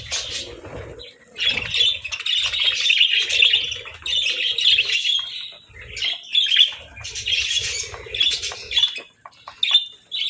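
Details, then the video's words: Several budgerigars chatter over a winter breakfast of boiled eggs and bread. Bursts of bright warbled chirps run for several seconds, with short pauses between them, over faint low bumps. "Breakfast Serenade: Budgies' Melodic Chirps over Boiled Eggs and Breads"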